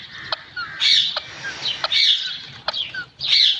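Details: Green parrot, described as a talking pet, gives four rough, grating squawks spaced roughly a second apart, with sharp clicks and faint short whistled slurs between them.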